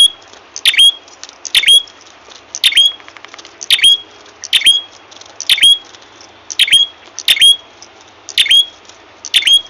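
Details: Ashy tailorbird lure call used for trapping birds: a sharp, squeaky note dropping into a short thin whistle, repeated roughly once a second in a steady series, with faint lower clicks between calls.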